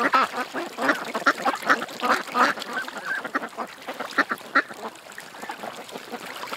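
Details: Ducks at a creek quack in fast, uneven series, over two calls a second, loudest in the first half and fading to softer chatter.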